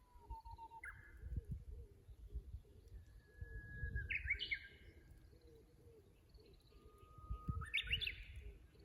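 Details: Japanese bush warbler at the Kusu tank road in Japan, 24 April 2025, from a fixed camera, sings three times: each song a held whistle breaking into a bright rising, tumbling flourish, with a soft repeated low pulse and rumble behind.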